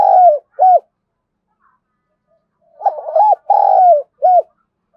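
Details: Decoy spotted dove cooing to draw in wild doves. Two short, hollow coos come first, then a pause of about two seconds, then a phrase of a short note, a long level coo and a final arched coo. Otherwise silent.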